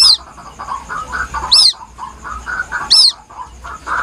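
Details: White-breasted waterhen chick, a lure recording: three thin, high, down-curving peeps about 1.5 seconds apart, with quieter warbling chirps filling the gaps.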